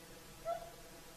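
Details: Whooper swans singing in the evening at sunset on the shore of Lake Saimaa; one clear trumpeting note, mid-pitched with a fainter higher overtone, lasting about a quarter second against a quiet, steady background hiss.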